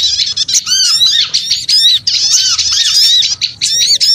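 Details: Busy, high-pitched squeaking of small birds used for luring, overlapping arched chirps in loud bursts broken by short gaps, lower curved whistles recurring underneath.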